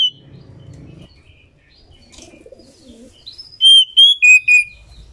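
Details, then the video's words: Female Oriental magpie-robin, used to make males sing: scattered soft chirps and a quiet twitter, then a burst of four strong, pure whistled notes, the last two pitched lower than the first pair. "Kacer betina gacor || pas buat pemancingan si jantan cepat gacor"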